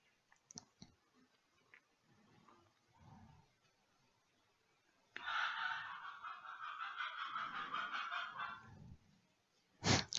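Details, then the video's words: Rooster crowing in the background at midday in the south of France; one harsh, drawn-out crow of about three and a half seconds, fairly faint, with soft breaths and small clicks before it and a sharp noise after. "Je sais pas [grognement] si vous entendez le coque qui a le coq qui chante. Le coq chante à midi."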